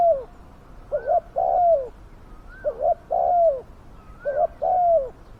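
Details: Spotted dove used as a decoy to lure and catch wild doves, calling with a loud, fierce voice: three low, hoarse cooing phrases, each a short double coo followed by a longer drawn-out falling coo, repeated roughly every one and a half seconds.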